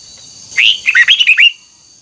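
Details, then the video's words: Red-whiskered bulbul trained for 'double twisted' notes gives one short song phrase: a loud rising whistle followed by about five quick, slurred, bouncing notes, all within a second. "Luyện giọng chào mào hót hay âm kép xoắn, ép chào mào hót âm kép già rừng hay tuyệt!"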